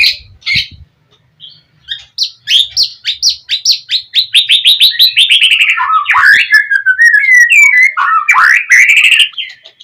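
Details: Oriental magpie-robin singing in gacor fighter style to draw a rival's answer: accelerating series of rapid repeated whistled notes, roughly three per second, building into a dense warbling trill.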